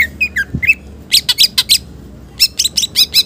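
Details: Green leafbird song full of mimicked phrases, used to prompt and tutor other birds: a few descending slurred whistles, then loud rapid staccato chirps in groups of four to five, paused briefly between groups.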